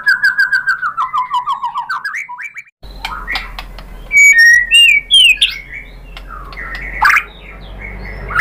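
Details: White-rumped shama singing to provoke other birds into reply: a rapid descending trill of whistles, a short gap, then loud scattered squeaky and fluty notes over a faint low hum.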